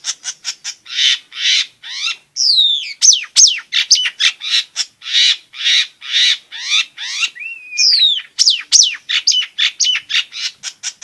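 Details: Long-tailed shrike song, used to make lazy shrikes sing and to teach young birds: long run of rasping, grating notes repeated steadily, broken by sweeping whistled slides and quick twittering.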